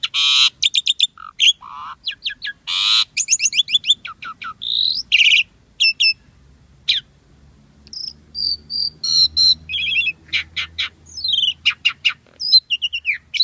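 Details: Long, varied Asian pied starling song in prolific gacor style with rich isian phrases: fast rattling chirp trains, scattered whistles, paired whistled pips and chattering runs, with a faint low hum midway.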